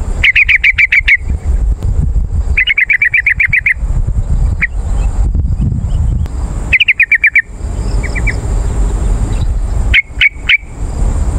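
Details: Yellow-vented bulbul lure call, meant to draw wild birds in forest or garden and prompt caged birds to answer: four bursts of rapid, bright chattering notes, each under a second, with a steady hiss and low rumble throughout.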